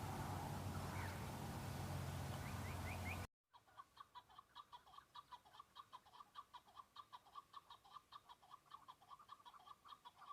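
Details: Male Chukar partridges fighting and displaying in breeding season on Bamo mountain, Kurdistan: a loud, noisy opening, then a quick, even train of chuck-chuck notes repeated about three times a second.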